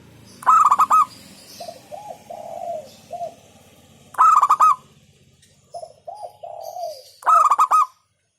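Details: Local zebra dove (perkutut) song in the hentakan style: loud, punchy pulsed phrases of several rapid beats alternate with runs of three to four soft, rounded coos. The loud phrase is repeated three times, with faint background noise.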